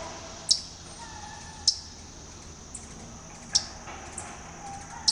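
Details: Waterthrush in a front yard at Talking Rock, Georgia; sharp, isolated high chip notes, four loud ones spaced one to two seconds apart, with a couple of softer chips between and a quiet background.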